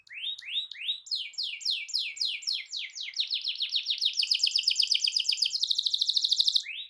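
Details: Canary delivering a long rolling song to stir other canaries: repeated downward-sweeping notes building into a fast, loud, buzzy roll near the end.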